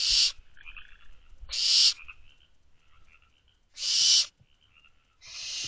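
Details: Barn owl owlets in a nest box at night, recorded on May 24 just after midnight by an outside camera. Loud broadband rasping hisses of about half a second repeat irregularly, with softer chittering and clicking calls between them.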